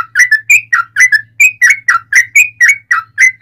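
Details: Long rapid-fire song of a yellow-vented bulbul, used to lure other bulbuls into singing: loud, clear, slurred whistled notes repeated about three per second, some rising, some dipping, in an even stream.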